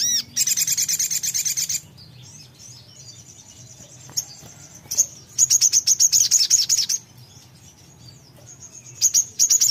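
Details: Right after a short playback, a songbird answers with loud rattling series of rapid high chirps, one long burst at the start, another after a quiet gap, and a brief final burst.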